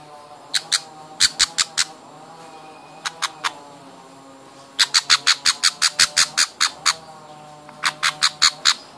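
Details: Baby budgerigars during hand feeding make sharp, rasping begging squawks in rapid clusters, a long even run in the middle, broken by brief silent gaps.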